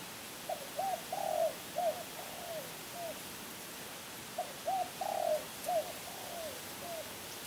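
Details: Two full cooing phrases from a champion spotted dove of Kebon Kacang: quick hooked notes, a longer swelling coo, then trailing softer falling notes, repeated after a short pause.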